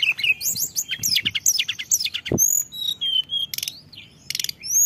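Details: Blood-breasted flowerpecker song used as a lure, full of mimicked fill-ins: rapid high thin chirps and sharp downslurred notes, a short buzzy burst near the middle, then clear whistled slides and two brief rattles.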